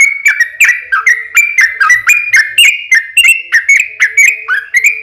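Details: Yellow-vented Bulbul (trucukan) in lively long 'ropel panjang' song, used as a lure to make other trucukan answer; a steady run of short bubbly whistled notes, each with a sharp onset, falling and rising around a mid-high pitch, with no other sounds.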